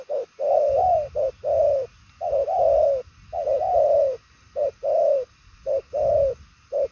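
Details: Fast, far-carrying 'bài lối' cooing ('gù') of a purple-legged 'đồng son chân tím' spotted dove: a dense run of short notes and long, wavering falling coos with hardly any pauses.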